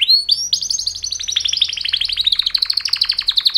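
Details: Rapid rolling song of male canaries during mating calls, a continuous fast trill of clear pulses that sags slightly in pitch, with a faint low hum beneath.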